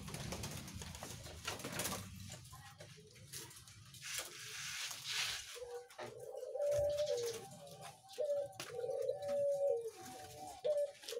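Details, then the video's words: Caged zebra doves at a breeding farm visited on 3 July 2019. After a noisy, muffled start, soft mellow coos in short repeated phrases emerge in the second half, about every two to three seconds, against background noise. "Kunjungan di farm perkutut dapat bunyi burung"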